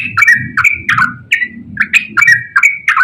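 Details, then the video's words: Yellow-vented bulbul in full, active song, long ropel style, for prompting reluctant birds. Short slurred whistles, some rising and some falling, come in quick bursts with brief gaps, over faint low background noise. "KICAU TRUCUKAN GACOR ROPEL PANJANG"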